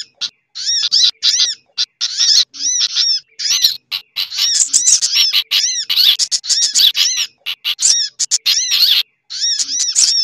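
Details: Noisy sunbird lure mix, combined with bulbul and similar small birds: rapid high, chevron-shaped chirps and scratchy chatter, tightly packed and overlapping throughout.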